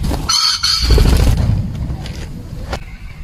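A male common pheasant gives a loud, harsh two-note crow, then falls silent over a low rumble of wind.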